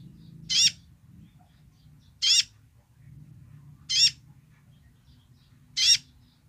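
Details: Basic song from a loud kolibri ninja sunbird: four short, grating, high-pitched bursts spaced nearly two seconds apart, each with a wavering downward sweep, over low background rumble.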